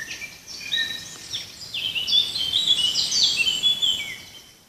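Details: Forest birds singing, high thin warbled and trilling phrases over a steady hiss of background noise.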